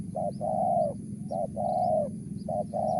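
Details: Spotted dove giving a Mersik-style call: paired coos, a short note then a longer one, repeated about every 1.2 seconds, over a steady low hum and faint high chirps.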